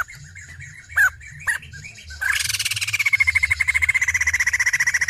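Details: Female white-crested laughingthrush: a few scattered short sharp notes, then a long continuous rattle of quick buzzy pulses that holds a steady pitch and eases slightly lower toward the end, over faint low background hum.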